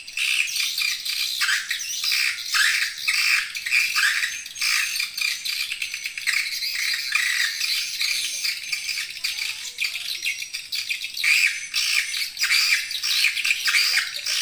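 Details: Swiftlet calls used as a lure to attract swiftlets: dense, unbroken twittering of high, dry chirps and rattling trills in rapid overlapping bursts, with a few faint lower squeaks.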